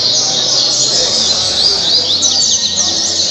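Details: Caribe song from a double-collared seedeater, Angra dos Reis, Brazil: high, bright twittering laced with short clear whistles and rising-falling slurs, continuous throughout, over a hissy background.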